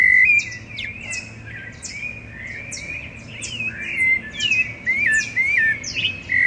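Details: Several rufous-bellied thrushes sing together before dawn in Curitiba, Brazil, on 10 September 2012, recorded with a handheld digital recorder. Fluty whistles twist up and down, and dense high chirps repeat rapidly over them throughout.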